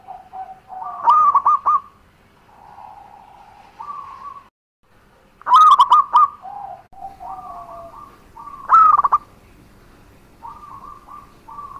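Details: Local zebra dove lure song for making other doves respond: loud stuttered coo bursts about every four seconds, with softer overlapping coo phrases at slightly different pitches in between, suggesting more than one dove calling.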